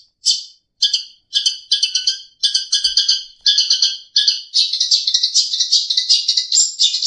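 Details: Long-tailed shrike song used as a training recording for other birds: clipped, chattering phrases of high squeaky notes, separated by short pauses, then merging into a continuous twittering stream.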